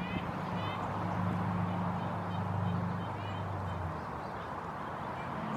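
Red-breasted nuthatch giving soft, nasal, tinny 'yank' notes, repeated irregularly, over a steady low mechanical hum.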